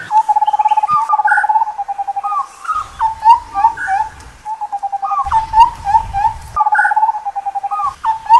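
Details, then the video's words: Repeated calls of an Indian scimitar babbler: fast rolling low notes answered by sharp rising whistles, the pattern cycling over and over with little pause. "Indian Scimitar Babbler Call"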